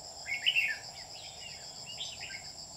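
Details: Red-whiskered bulbul decoy for trapping, recorded 27 July 2019: a lively burst of quick warbled notes, then a fainter second phrase, with a persistent insect drone behind.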